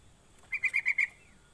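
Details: Call of a sooty-headed bulbul, used as a lure to prompt other bulbuls: five quick whistled notes in an even series, softer at the end, over faint background noise.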